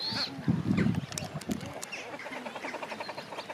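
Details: Common shelduck giving a few low, gruff notes, then a fast, even run of short nasal calls repeated several times a second, during parenting behaviour.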